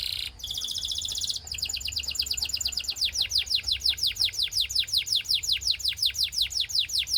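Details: Belgian canary singing to coax other canaries into song: a short buzzy trill, then a long steady series of loud falling sweeps, about three per second.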